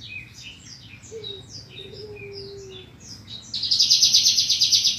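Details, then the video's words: Bushlark singing in a recording meant to teach other birds: rapid high chirps and slurred notes, a faint low whistle, then an intense fast-pulsing buzzy trill to the end. "Kumpulan masteran burung branjangan terbaru tahun 2022"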